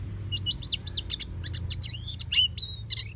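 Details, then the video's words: Oriental white-eye kept at home, singing in the loud open-beaked ngeplong style: rapid high twittering phrases of sharp, slurred chirps tumbling over one another, with a low hum underneath. "Terapi Pleci Rumahan Agar Cepat Bunyi Ngeplong Full Buka Paruh"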